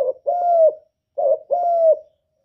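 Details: Derkuku, or spotted dove, singing a lure song of the 'kuk 1' type: two cooing phrases, each a brief note followed by a long, drawn-out, gently falling coo.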